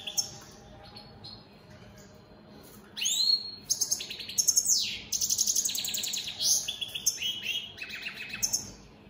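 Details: Captive European goldfinches of the opal split satinette mutation in song: faint chirps at first, then lively bursts of high twittering, buzzy swept notes and quick trills for the rest.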